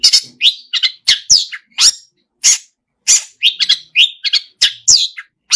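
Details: Quick succession of harsh, scratchy notes and squeaky chirps from a Long-tailed shrike, singing energetically with a song stuffed with imitated phrases.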